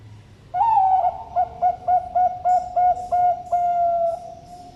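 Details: Zebra dove with a deep, thick voice from a bird farm in Sidoarjo, East Java, Indonesia: one long wavering coo, then about nine short, evenly spaced hollow coos, ending in a long level coo; quiet background.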